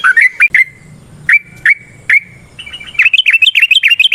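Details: Yellow-vented bulbul in nrotok and ngecuplik ropel variations used to coax other birds into song: a few spaced sharp chirps with a thin held tone, then an excited fast chattering burst.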